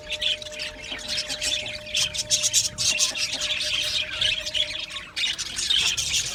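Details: Australian budgies kept as an aviary colony, producing nonstop squawky chirps and warbled chatter, briefly dropping near the end before resuming, with a steady hum beneath.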